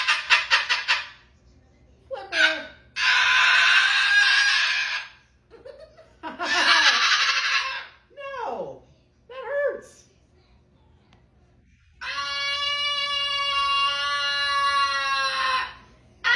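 A cockatoo mimics dolphins with rapid clicking bursts, harsh screechy chatter and a long buzzy whistle.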